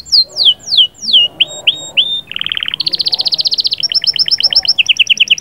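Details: Canary song used to stimulate a female, with 'sahsahat' and 'batbatat' passages: three descending whistled swoops, a few upslurred notes, a brief buzzy burst, then long very rapid trills of repeated ticking notes at different pitches.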